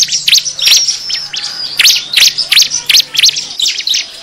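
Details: Bar-winged prinia lure of agitated calls: sharp, high chips repeated in loose groups, roughly two or three per second, with a thin high whine running beneath.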